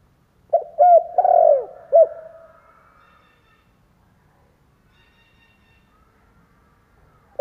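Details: Spotted dove used as a decoy to draw in wild doves: a single low cooing phrase of short hooting notes and a drawn coo, followed by quiet with faint distant bird notes.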